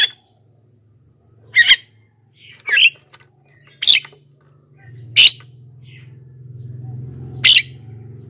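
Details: Black-winged myna (jalak kebo) for luring wild birds and training quiet singers: five sharp, raspy squawks spaced one to two seconds apart over a steady low hum.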